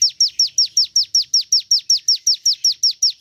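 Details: Javan tesia (ciblek gunung) song, offered as a lure to make other birds sing: a steady series of high, sharply downslurred chips, about 2.6 per second, evenly spaced, with no other sounds.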